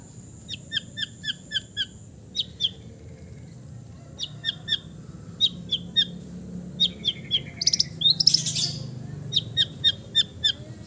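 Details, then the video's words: Relaxed song of an East Javan long-tailed shrike: sparse, clipped high chirps in short clusters of two to five, spaced by brief gaps, with one harsher rasping burst; steady low hum in the background. "TERAPI CENDET BISU KURANG FIGHTER DENGAN KICAU SANTAI CENDET JATIM GACOR FULL ISIAN"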